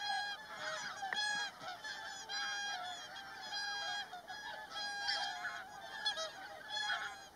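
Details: Group of whooper swans in a fight, many birds trumpeting together: a dense chorus of nasal, bugling honks with harmonics, overlapping and near-constant, a few sharper bursts standing out.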